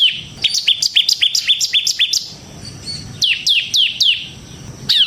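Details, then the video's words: Bar-winged prinia, semi gacor, in ngebren style, meant to provoke and teach other prinias: a rapid string of bright, clipped high chirps, a quiet gap, then several louder down-slurred notes. "suara burung CIBLEK SEMI GACOR Ngebren Ampuh untuk Pancingan Ciblek Kristal dan Masteran Ciblek"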